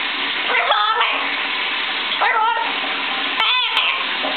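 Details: A young pet severe macaw chatters in the shower, giving several short, raspy, parrot-like vocal bursts, some with a rising-falling contour, over the steady hiss of running water.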